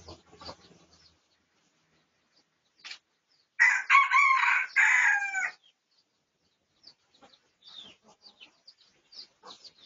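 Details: Red junglefowl of the pradu colour variety, research recording dated 18 August 2023: one strong, rasping crow of about two seconds with broken, wavering harmonics, among faint chirps and scattered rustling before and after.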